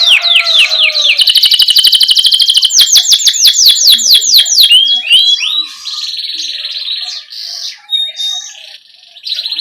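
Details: Canary rolling song, used as a lure to encourage young canaries to sing: a fast high trill, then a series of falling whistled notes, then a softer buzzy rattle and scattered chirps.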